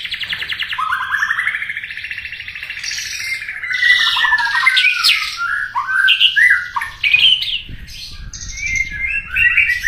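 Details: White-rumped shama singing vigorously in 'gacor' style: a long, rich phrase of fast warbled and chattering notes that climb and dip, mixing whistles with harsher squawky bits, loud and continuous throughout.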